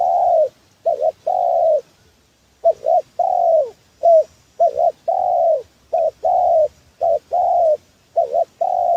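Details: Spotted dove, a trapping lure call: repeated low mellow cooing, short doubled notes leading into longer slurred coos, phrases with brief pauses, one gap near two seconds, over nine seconds.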